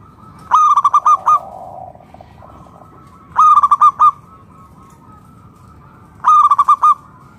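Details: Song of a local wild-type zebra dove, played to draw other doves into song: three evenly spaced phrases of five or six rapid staccato coos, roughly every three seconds, with faint dove calls between.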